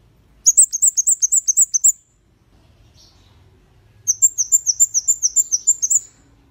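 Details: Red-headed bunting song used as tutor material for cage birds: two bursts of rapid, very high, sharp chirping notes, about ten per burst, separated by a quiet two-second gap.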